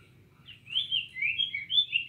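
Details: Short burst of cinnamon tanager song: a few quick warbled phrases, each bending up then down, delivered rapidly after a moment of near silence.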